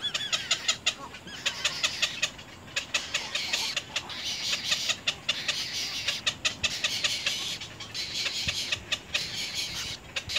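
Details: Little egret young at the nest trying to bite their parent: dense, overlapping scratchy chattering that swells and fades in waves, with sharp clicks throughout.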